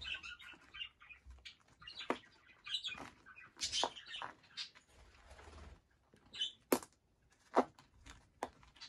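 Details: Large young male cockatiel babies chirping in short scratchy bursts at irregular intervals, some notes rising and harsh, with soft rustling and wing flutters between calls.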